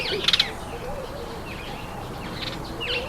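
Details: A speckled mousebird eating an apple gives a quick burst of high, sharp chirps, then a few fainter twitters, over a steady low hum.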